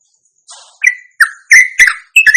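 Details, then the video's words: Sooty-headed bulbul, or trucuk, from Indonesia singing a ropelan meant to draw other birds into song: a soft hiss, then four or five short, rich, slurred notes in quick succession. "ropelan panjang teristimewa buat pancingan trucuk anda"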